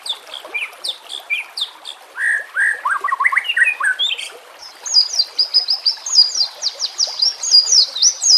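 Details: White-rumped shama in 'nembak kasar' training song: scattered high chips give way to jumbled mid-pitched whistles, then a fast, very high, repeated twittering series carries on to the end.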